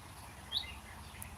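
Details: A Common Chaffinch, nesting close by, gives its single brief, high, thin repeated note over a steady hiss of outdoor background noise.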